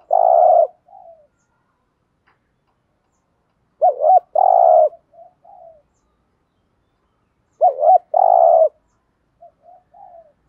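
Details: Stimulating 'thúc gù' coo of a spotted dove: three phrases roughly four seconds apart, each a quick warbled double note and a sustained mellow coo, followed by short soft trailing notes.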